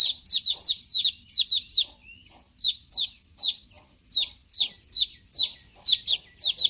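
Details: Chicks chirping loudly: sharp, high, downslurred peeps in quick bursts of two to four, repeated about every half second with a few short pauses, and no other sounds.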